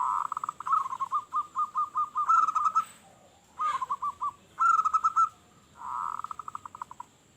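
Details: Local zebra dove in full, loud voice, used to lure other zebra doves: rapid staccato cooing notes in bouncy trilled runs, several phrases with short pauses, over a steady background hiss.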